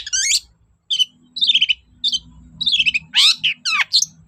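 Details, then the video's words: Long-tailed shrike singing as a lure for silent shrikes: bursts of harsh descending chatter and scratchy warbles separated by short pauses, over a steady low electrical hum. "BURUNG CENDET GACOR DOR PANCINGAN AMPUH CENDET SUSAH BUNYI"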